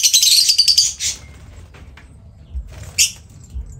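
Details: Pet lovebird in training gives a dense burst of shrill, high chirps for the first second, a brief squeak just after, then a lone sharp chirp near three seconds, with quiet low rumbling between calls.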